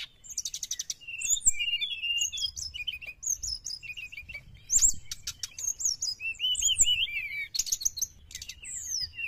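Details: Sooty-headed bulbul singing energetically, used as a lure for wild birds: dense bursts of high slurred whistles and sharp chirps, with rapid rattling note series near the start and end.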